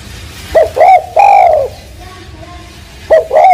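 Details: Spotted dove giving a low, hollow cooing phrase: two short coos and then a longer slurred note that falls at the end. A second phrase begins after a quiet gap of about one and a half seconds.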